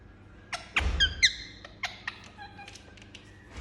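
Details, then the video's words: Pet Indian ringneck parakeet making quick squeaky chirps and short whistled notes in an irregular string, with a soft thump near the start and a low hum behind. "Talking Parrot Making Sound"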